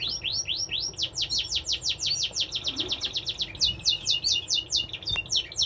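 Newly hatched Linnet mule chicks beg in a thin, high chorus of rapid falling squeaks, about five or six a second, with no pause.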